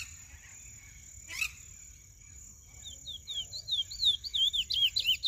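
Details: Young lesser seed-finch moulting into black, silent at first apart from a single sharp click, then starting a quickening string of looping whistled notes that grow louder toward the end, with a steady background hiss.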